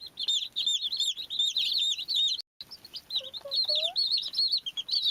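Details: Beautiful baby chicks keep up continuous shrill peeps, fast overlapping chirps about two or three per second, with a short silent break midway and a few lower, softer notes near the end.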